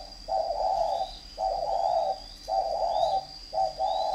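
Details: Fighting spotted dove from a northern Vietnam bird garden near Ba Vì, Hanoi, giving four long burry coo phrases roughly every second, the last split into a short note and a longer one, with a thin steady whine and faint high chirps behind.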